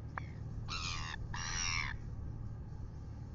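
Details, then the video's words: Red-billed gulls bothering a royal albatross at 6:27 AM in New Zealand, live-camera recording: a brief faint note, then two loud, harsh, buzzy squawks about half a second each, over low wind rumble. "Red billed gulls annoy OGK"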